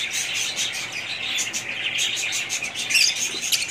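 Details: A group of budgies twitters constantly: bright, thin chirps and warbling overlap, with a louder squeaky note close to the finish.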